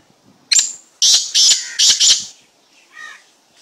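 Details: Black francolin, described as an unusual slate-grey kind, giving a harsh grating call: five loud rasping notes in quick succession over about a second and a half, then a softer, lower note in a quiet background.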